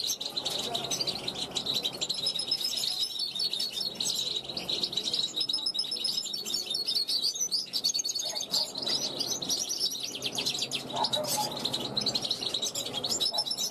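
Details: Young European goldfinch born in 2021 singing from a balcony toward wild goldfinches flying past; a long run of tinkling, twittering phrases with repeated sharp chirps and buzzy trills.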